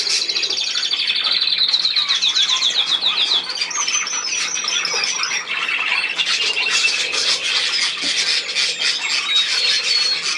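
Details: Budgerigar chatter opening with a fast run of repeated rasping notes, then clear whistled tones, squawks and a continuous background of overlapping high twittering.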